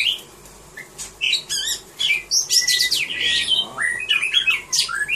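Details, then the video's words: A caged Oriental magpie-robin performing in a songbird contest sings a varied, rapid run of sweet whistles, buzzy trills and harsh squawks, with notes jumping between high and middle pitches. "Oriental Magpie-Robin singing"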